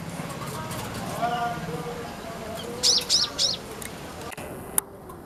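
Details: Weaver, a new aviary resident, 27 October 2024; three quick identical high chirps in a row, preceded by faint human talk and a low hum, then a single sharp click.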